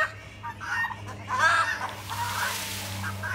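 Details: Domestic turkey hens, alarmed at a hawk overhead, give harsh, nasal, clucking alarm calls in short bursts over a steady low hum.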